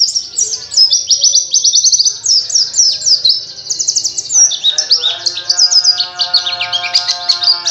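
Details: White-eye singing vigorously with a wild-style rolling song while seeking a rival: a rapid, continuous stream of high, sharp chirps and twitters, joined midway by a steady lower tonal hum.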